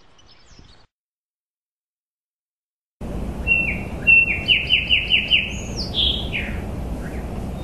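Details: A bird sings after a brief silent gap: about five quick, bright downslurred notes in a run, then a higher swooping whistle and two lower slurred notes, over a steady low rumble and hiss.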